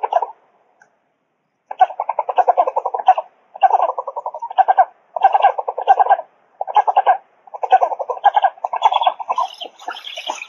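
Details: Black storks at a nest monitored online in the Łódź forest district, Poland, 16:44 on 13 July 2020, as the adult female delivers mixed food: harsh, rapid pulsed chattering in bursts of one to one and a half seconds, with short gaps and higher squeaks near the end.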